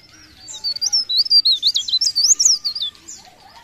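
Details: A lively leaf warbler delivers one continuous phrase of quick, zigzagging high-pitched whistled notes, about a dozen rapid elements, clear against a quiet background.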